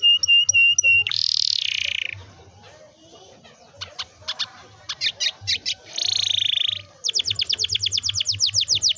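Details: Singing canary, a long rolling song meant to coax young or reluctant canaries to sing: clipped whistled notes, a harsh buzzy phrase, scattered sharp chips, another buzz, then a rapid run of descending repeated notes.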